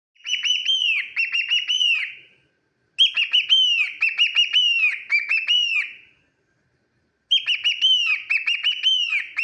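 A cockatiel gives bursts of rapid, chirpy, warbling calls, pausing between each burst.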